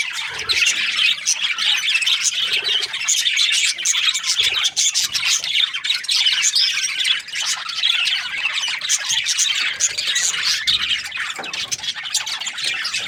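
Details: Budgerigar chirping happily in a long, unbroken stream of busy, scratchy warbling, quick squeaks and clicks that never pause.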